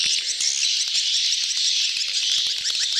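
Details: Swiftlets in a mating gathering, "betompok" style: steady high-pitched chatter of countless tiny chirps, with sharp ticking notes roughly twice a second beneath it.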